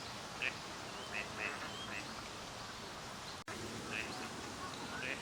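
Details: Gadwall (Mareca strepera) at a park pond in Chiba, Japan, November 2025, during courtship display and pair formation in winter: five or so brief, high whistled notes scattered over several seconds, over a steady background hiss.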